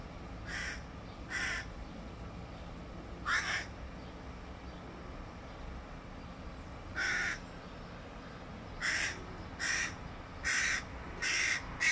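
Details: Young hooded crow begging its father for food in July 2022: hoarse, harsh calls in short bursts, several spaced irregularly over the first half, then four closer together near the end, over a steady low background hum.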